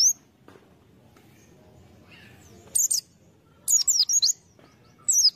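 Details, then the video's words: White-eye kept as a lure bird, giving scattered bright high chirps: a brief note, a sharp pair, then a quick string of four or five twitters and a final squeaky note amid faint background hiss. "Pleci | Burung Kacamata bahan pancingan"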